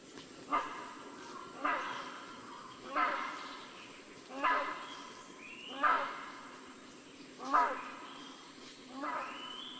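Rhinoceros hornbill giving six loud, harsh honking calls, one every one to two seconds, over a faint background hum.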